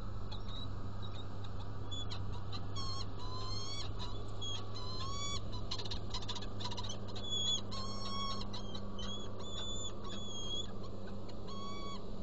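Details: Hungarian Saker Falcons at the nest during food delivery and feeding, 30 April 2017 at 10:27, recorded by a nest camera: a run of thin, whining calls with rising and falling notes, repeated in bursts, over a low steady hum.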